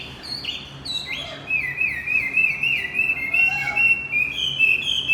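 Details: Lure song of Javan white-eye to restart a silent male: after a few separate high notes, a fast, continuous warbling stream of thin whistles with tiny pitch wobbles.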